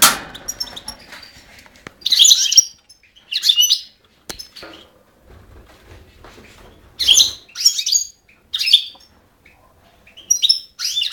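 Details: European goldfinch recorded on 5 June 2011, giving short bursts of bright, tinkling twitter phrases with long silent pauses between them, and a brief noisy clatter at the start.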